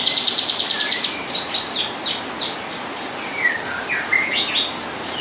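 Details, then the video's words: Kapas tembak singing nonstop, used as mastering song day and night while young birds are fed: a rapid run of about a dozen sharp high chips, then varied whistled slurs and rising and falling notes over steady hiss. "kapas tembak gacor nonstop menemani"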